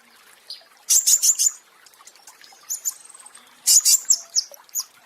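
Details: Pentis raja (flowerpecker) original song recording used as a masteran for training cage birds, said to trigger mass breeding excitement: high, sharp bursts of rapid ticking notes and thin whistles, repeated in short phrases with pauses.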